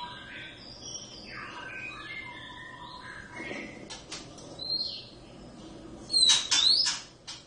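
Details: Oriental magpie-robin, one of a wild-caught pair kept at home that sings all day, gives varied whistled phrases, some sliding and rising, followed by sharp clicking bursts and a loud bright note near the end.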